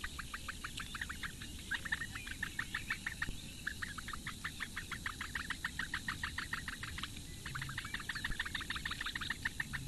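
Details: Morning feeding of four Eurasian bittern chicks by the female at a Latvian reedbed nest, Lake Engure, 15 May 2017; brisk ticks repeated several times a second in long runs broken by two short gaps.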